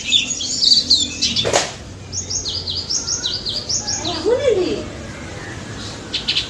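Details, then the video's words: Wild daput white-eye twittering strongly as a lure for silent white-eyes: high chirps, then a sharp click, then a row of evenly spaced falling notes, with a lower curving sound midway. "BURUNG PLECI DAPUT GACOR NGALAS NEMBAK"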